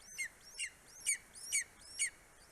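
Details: Greater spotted eagle (Clanga clanga) in Estonia, adult male bringing prey to a four-week-old eaglet at the nest, 9:02 am, 2 July 2020: five sharp, high yelps sliding steeply downward, about every half second, over faint hiss.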